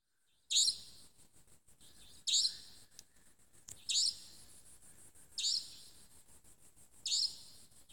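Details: Savanna nightjar calling at dusk in Tmatboey forest, Cambodia, on 18 February 2018: a shrill, high, buzzy 'tchweep' about every 1.6 seconds, each note sharp and slightly rising, with faint background hiss and ticks.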